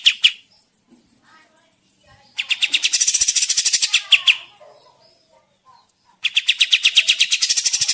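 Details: Kapas tembak bird singing vigorously, used as a trapping lure in the forest: a few opening chirps, then two long, fast trills of high repeated notes with a hissy upper edge.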